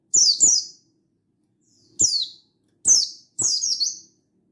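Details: Mountain white-eye, 16/8/22, wild-style calling toward a rival: a rapid double chirp, two single falling notes, then a longer wavering multi-part phrase, all high and thin.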